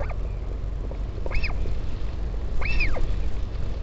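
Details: Parent northern royal albatross visiting its chick at Taiaroa Head near Dunedin, New Zealand, 16 July; two long arched squeals rising and falling, more than a second apart, with fainter short notes, over strong wind noise.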